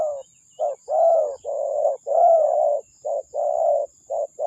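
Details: Spotted dove calling as a lure bird: low, throaty cooing in a steady run of short notes and longer rolling, slightly wavering croons, with brief pauses between phrases and a quiet background.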